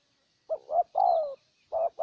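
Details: Spotted dove decoy in Ninh Thuận, Vietnam, luring a wild dove, giving a brief series of low coos, a longer falling note in the middle, in a quiet setting.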